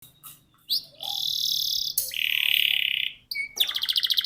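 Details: Canary song used to coax young canaries to learn and sing: long sustained buzzy high trills lasting over a second each, broken by short notes, ending in a rapid pulsed rattle.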